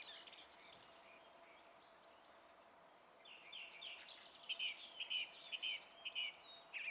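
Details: Song thrush singing, 27 April 2016: soft scratchy warbling at first, then a crisp sharp note repeated four or five times at an even pace.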